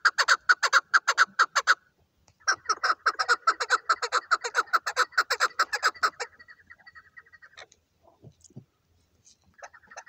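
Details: Hunting chukar partridge: a burst of loud, rhythmic chuk notes, a short pause, then a longer rapid series that fades after six seconds into scattered faint clucks and thin notes.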